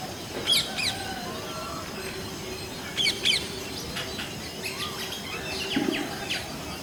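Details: Indian common mynas give bursts of harsh, chattering and clicking calls, each lasting under a second, with softer whistled notes and other birds in the background.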